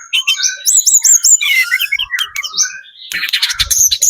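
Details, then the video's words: Very active lure song of a Sunda robin, spotted 'trotol' type, played so other birds reply: quick wavy whistles and slurred high notes, a buzzy middle section, then harsh chattering bursts. "PANCINGAN TLEDEKAN GUNUNG TROTOL SUPER GACOR, burung manapun pasti nyaut"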